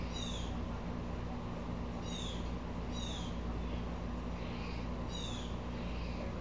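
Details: Blue jay, upset, repeating short harsh calls that slide downward, roughly every one to two seconds, with fainter rasping notes between them and a continuous low hum underneath.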